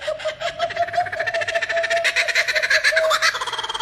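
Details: A male Laughing Kookaburra, prompted by a keeper, gives a rapid, cackling chuckle of hoarse, repeated notes that rise into a loud, ringing laugh, with the keeper's voice nearby.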